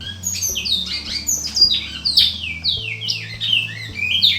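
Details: Captive male Bicudo (Great-billed Seed-Finch), a selected breeding-facility bird, performing its song: a rapid run of loud, clear whistled notes, many sliding downward, in quick varied phrases, over a low steady background hum.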